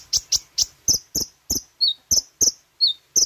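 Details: Sooty-headed bulbul song as a lure for training caged birds: sharp high notes repeated roughly every quarter second, now and then replaced by a lower downslurred whistle.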